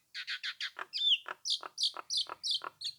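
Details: Nias hill myna in full song, used to draw rival birds into replying; a quick series of loud, harsh, chattering notes repeated about three times a second, with one clear rising whistle near the middle.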